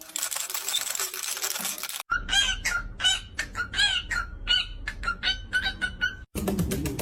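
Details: Playful pet caique parrots known for jumping, dancing and curiosity; after a burst of noisy sound, a run of sharp, harsh chirping squawks repeats rapidly for about four seconds, then noise resumes.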